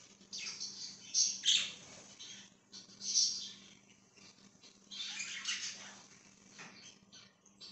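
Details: Budgerigar, recorded on 5/10/2023, giving scattered bursts of harsh, scratchy chirps separated by quieter gaps. Steady low electrical hum and room noise sit underneath throughout.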